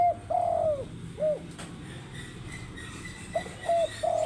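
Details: Spotted dove calling in the morning: a long, mellow coo sliding downward, then shorter low coos in a loose pattern, with a faint steady tone and a soft click in the background.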